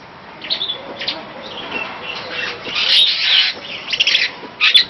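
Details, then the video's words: Superb starling song: scattered short notes at first, building into louder bursts of scratchy chatter and squeaky whistles, ending with two sharp high chirps. "Burung Master Jalak Afrika Superb Starling"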